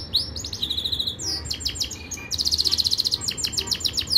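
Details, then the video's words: Yorkshire canary training song with varied phrases: a rising note into a steady tone, scattered sharp chirps, then a loud rapid rattling trill, ending in a string of quick repeated high notes over a low background hum. "Most powerful Canary song | Rasmi Yorkshire canary song | best Canary training song"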